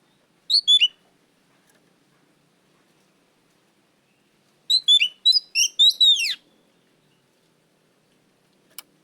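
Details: Oriental magpie-robin, loud lure song for caged birds: a brief burst of quick downslurred whistles, then after a pause a longer run of rapid varied notes ending in a falling sweep, and a final click.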